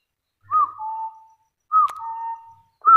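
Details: Hill partridge from the wild, calling to challenge rivals: two spaced phrases of a brief arched whistle falling to a sustained lower tone, with a sharp click between them and a third phrase beginning at the end.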